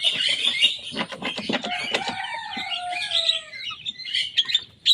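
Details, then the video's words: Young Javan myna in full song, mimicking rival birds: a continuous jumble of harsh chatter, clicks and whistles, with a long falling whistled note near the middle. "Jalak kebo muda gacor bongkar suara lawan."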